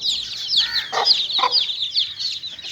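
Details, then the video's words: Young chickens at play: busy high peeping from a group of chicks, with two distinct louder clucks near the middle. "little chicks playing"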